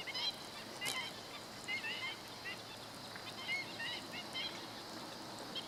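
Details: Black-winged stilt, recorded 17 August 2013: a string of clipped, nasal yelps, often in twos and threes, with a brief click near the start and continuous broadband background hiss.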